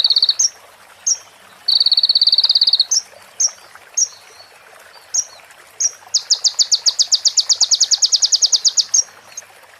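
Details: Konin sunbird training song, said to be filled with female prinia and ciblek phrases and recorded clean with pauses: scattered high chips, a short buzzy burst, then a long rapid rattling trill of rhythmic pulses.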